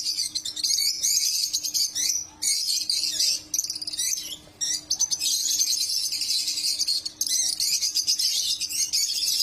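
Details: Lovebirds chirping in a near-continuous stream of shrill, raspy chatter and quick twittering notes, with brief gaps and a faint steady low hum in the background.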